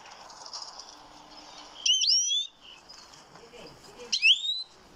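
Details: Goldfinch singing: two separate clear notes that sweep upward, each with a short twittery flourish, about two seconds apart over a soft background hiss.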